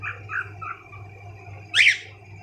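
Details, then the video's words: Pet cockatiels indoors, one watching its reflection: three soft, short chirps in quick succession, then a loud harsh screech, with a constant low electrical hum behind. "Cockatielbird's all of them making sweet sounds"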